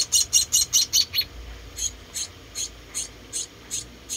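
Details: One of four rescued munia chicks being fed chirps in a fast, loud burst of high chips, then slows to single, fainter, slightly falling calls spaced about every half second.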